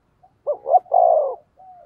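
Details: One mellow cooing phrase from a decoy spotted dove luring wild birds: two short low notes, a longer wavering coo, then a soft trailing note.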